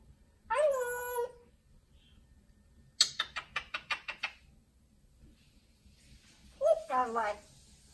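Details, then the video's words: Pet African grey parrot, female, adopted a few months earlier and kept indoors, vocalising in a small room: a drawn-out harmonic wail, then a run of seven rapid clicking pulses, then a short voice-like phrase, over low room hum. "Parrots Talking Funny Videos"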